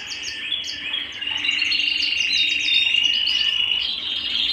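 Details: Canary singing at home, delivering a long, steady rolling trill of high chattering notes that swells gradually louder toward the end.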